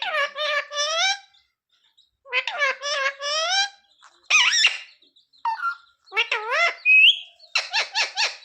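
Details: Talking pet parrot saying mummy and asking for roti: bursts of nasal, wavering word-like syllables in groups of three or four, separated by gaps, with a few high whistled notes near the end.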